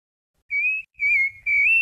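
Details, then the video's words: Rufous-bellied thrush singing a fluted song of the Brumado style: three drawn-out, smoothly slurred whistles, the last rising slightly at its end, set apart by short pauses. "SABIÁ LARANJEIRA BRUMADO CANTO FLAUTEADO"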